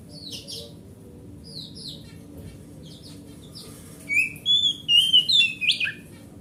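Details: Large-bodied grade A oriental magpie-robin of forest stock, song meant to lure a silent caged magpie-robin into singing: soft high chips early, then a run of loud clear whistled notes, stepping up and down.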